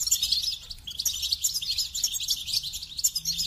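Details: Goldfinch pouring out a rapid, unbroken twitter of high, jingling notes, about four per second, with buzzy trills mixed in.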